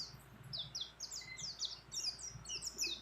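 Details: Female mountain white-eye calling a male while in breeding condition: a fast series of thin, high, down-slurred chirps, about one a second at first, then packed closer, over a steady low background hiss.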